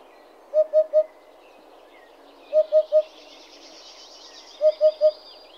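A Eurasian Hoopoe gives soft, low hollow 'oop-oop-oop' triplets, each group repeated about every two seconds, over a faint background hiss.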